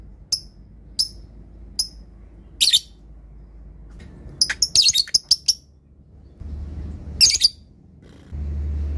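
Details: Lovebird used as a master recording for training, with ngetik ticks and ngekek chatter: three evenly spaced sharp high chips, then a clustered flurry of scratchy notes and a final rasping burst, with faint background rumble.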